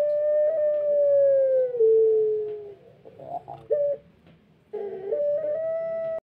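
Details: Pelung rooster, not yet at full voice during tail recovery, holding a long crow that glides downward over nearly three seconds, then stuttering notes and the start of another steady rising crow.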